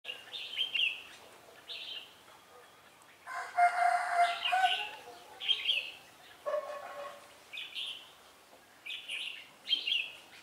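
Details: Red-whiskered bulbul used as a decoy while trapping at Ba Thá, recorded 17 December 2016: short bright warbled phrases repeated every second or two, interrupted midway by a loud harsh rooster-like crow.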